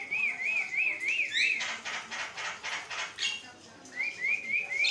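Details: A Javan myna sings without pause as a master recording to coax other mynas into calling: five quick whistled up-down notes, a stretch of rough scratchy chatter, then another run of four whistled notes.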